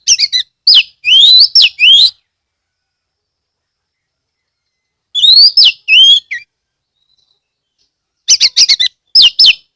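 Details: Owned Oriental magpie-robin from Rejosari, Kebumen, Central Java, recorded loud to make other magpie-robins sing: three phrases of bright, looping whistles and dense chattering notes, each about one to two seconds long, separated by long silences.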